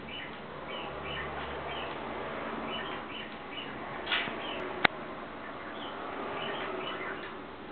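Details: Pet parakeet at play on a stand hair dryer's base, uttering clusters of brief chirps with pauses between, against low hum and a couple of sharp clicks near the middle.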